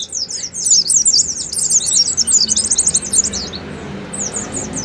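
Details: Oriental white-eye in long 'ngalas' song intended to stimulate caged birds: a busy, high-pitched twittering torrent for about three seconds, fading to a few scattered thin notes.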